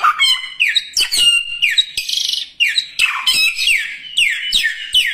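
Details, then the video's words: Songbird pouring out a busy run of sliding, falling whistles and sharp chirps, with brief buzzy bursts between them. The phrases follow each other almost without pause. "kicauan burung 1001 suara burung samyong gacor"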